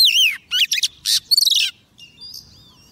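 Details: Decoy female Oriental magpie-robin calling a male: a descending whistled slur, then quick scratchy notes and a rapid stuttering trill, fading into soft distant whistles.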